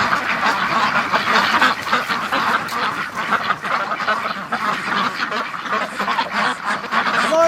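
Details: Many domestic ducks, Muscovies among them, all revved up during a snowy winter morning rush, quacking loudly and continuously in an overlapping chorus, with the noise briefly dipping midway before swelling again.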